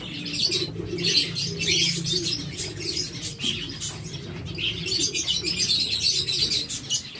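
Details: A group of kept zebra finches calls almost nonstop with high, buzzy, nasal chirps. Soft low cooing and a constant hum run beneath the chatter.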